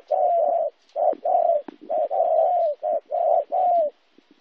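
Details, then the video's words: Spotted dove in Kon Tum, Vietnam, 26 January 2016, described as a local wild-caught bird: low hollow coos in runs of syllables, some with a slight downward slide at the end, with short pauses between phrases. "cu gay"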